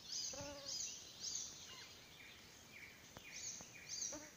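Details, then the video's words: Icterine warbler (Hippolais icterina) singing at Salmentaka, Pälkäne, on 12 June 2017: a fast, varied medley of high, squeaky and chattering notes with a few lower nasal slurs, run together almost without pause. "Kultarinta (Hippolais icterina) laulaa"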